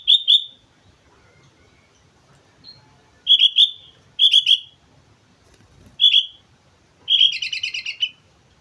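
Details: Sooty-headed bulbul at Mount Slamet delivering repeated short whistled phrases of two or three notes at irregular gaps, ending with a rapid rattling trill of buzzy notes.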